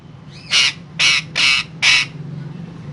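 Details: Parrot making four loud, harsh, broadband squawks, each about a quarter second long and evenly spaced about half a second apart, over a low steady background hum.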